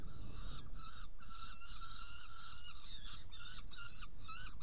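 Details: Saker falcon at a Hungarian site, 16 June 2018, evening at 18:57, prey brought and two young fed: nasal calls including one long drawn-out steady note, then quicker clipped notes, with low rumbling background noise.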